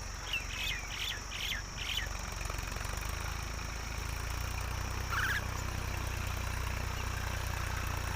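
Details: Mynas give four quick, harsh, scratchy calls in two seconds, then one more rasping burst, over a steady low engine hum, as both mother and father feed their chicks together.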